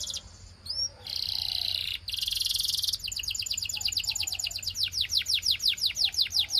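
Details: A Belgian canary performs song meant to set other canaries singing: a rising whistle, a dense buzzy roll, then a long run of rapid falling whistled notes growing louder and more spaced.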